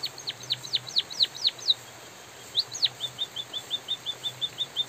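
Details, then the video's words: White-headed munia (bondol haji) singing, a track for song training, recorded with light drizzle: a string of thin, high, down-slurred whistled notes, then a pause, then a fast even run of short high chirps at about two per second. "suara burung emprit pipit bondol kaji gacor jeda natural dan suara hujan"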